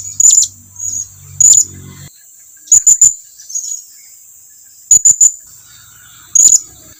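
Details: Blue-crowned hanging parrot calling its companions to approach: short, high, squeaky notes, single or in pairs and triplets, spaced irregularly, with a faint low hum early on.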